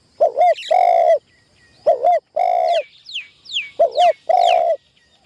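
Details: Decoy spotted dove in its first training session in a tent trap, used for trapping in Thailand. Low coos repeat in phrases: two short clipped notes, then one longer hoarse note, about every two seconds. Thin high whistles from another bird run between phrases.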